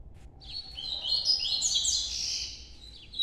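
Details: Single rich, warbled phrase from an ultramarine grosbeak in Nordeste noturno style, rising from a quiet start into dense, jumbled high notes over a faint background hiss.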